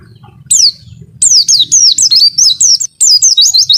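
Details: White-eye (pleci) in a long 'wit-wit' song: a lone high falling whistle, then a lively stream of sharp, slurred descending and rising whistles in close succession.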